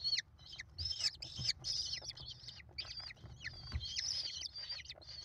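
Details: Five American kestrel chicks at a nest on a live cam, 28 May 2021, give shrill, high, overlapping whining calls as their mother feeds them, almost nonstop and rising in intensity, over a faint low rumble.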